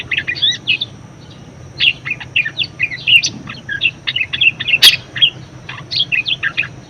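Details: Budgerigar warbling as a training model for other birds: bursts of quick chirps, squeaks and scratchy notes, a short pause near the start, then steady chatter with a sharp click near the end.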